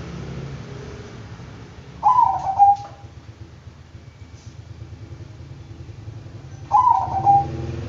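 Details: Two bubbling, stuttered coo phrases from a Bangkok-strain zebra dove, roughly four and a half seconds apart, each ending in a short held tone, with a low background rumble between them.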